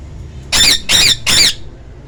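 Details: Ring-necked parakeet talking: three harsh, squawky, rich-toned bursts of roughly a quarter second each, evenly spaced over about one second, with a faint low background hum between them.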